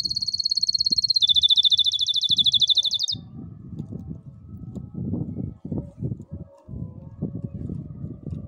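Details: Canary song, played to train silent young canaries to sing: a rapid, even trill of high buzzy notes that steps slightly lower midway and runs about three seconds, then stops, leaving low rumbling background noise.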